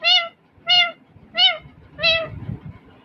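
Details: A talking pet Indian ringneck (rose-ringed) parakeet gives four clear, nasal, speech-like syllables, about one every two-thirds of a second, over a faint low rumble.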